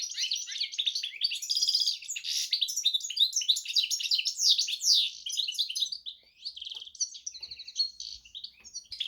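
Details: Goldfinch x canary hybrid singing a dense, continuous high twitter of quick chirps and trills, easing into sparser, scattered notes toward the end.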